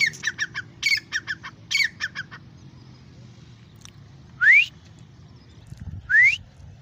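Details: Grey francolin, called dakhni or irani teeter, starts with rapid bursts of short harsh clipped notes in groups, then after a pause gives two loud rising whistles spaced nearly two seconds apart.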